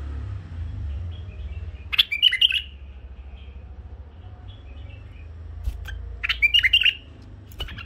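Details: Tame pet bulbuls, one male and two females, singing sweetly: two bright, chattering bursts of quick whistled notes several seconds apart, with a low background hum.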